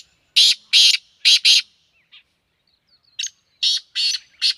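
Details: Rhythmic, scratchy black francolin phrases recorded in Sindh, Pakistan: four grating notes in pairs, a short gap with a faint note, then another harsh series.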